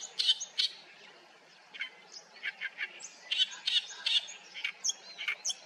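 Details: Oriental reed warbler singing in a reed bed at Haenam, Korea: harsh, scratchy chattering notes delivered in uneven bursts, some grating and some higher and sharper, over a quiet background with a faint low hum.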